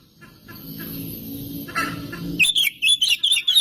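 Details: Oriental magpie-robin song used as a lure for other magpie-robins; after low rumbling background, a short burst of loud, clear, warbled whistles at the end.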